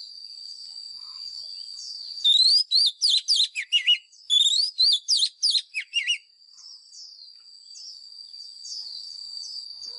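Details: Oriental magpie-robin, a wild lure bird in fighting song, used for voice training of caged birds: a burst of rapid whistled, slurred notes rising and falling, about four seconds long, over a steady thin high-pitched tone.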